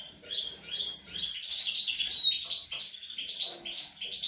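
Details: European goldfinch feeding young on 25 April 2021, delivering a continuous bright twitter of quick chirps, rolling trills and short sharp whistled notes, sustained high in pitch throughout.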